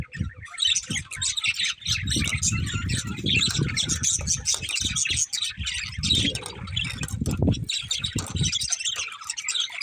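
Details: Budgerigars chattering nonstop, dense overlapping high chirps and warbles filling the whole stretch, mixed with soft low thumps and rustling.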